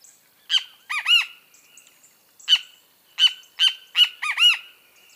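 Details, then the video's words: A loud, strident bem-te-vi phrase of three notes, then a lone sharp note. A second, longer run of four harsh notes follows, ending in paired arched calls. The setting is otherwise quiet. "O CANTO DO BEM-TE-VI"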